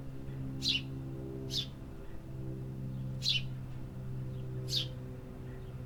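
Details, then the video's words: Four sharp, high chirps from birds in a city, spaced unevenly over about six seconds, set against a strong steady low hum of urban background noise. "Urban Birds Sound Effects -- Hear the activity"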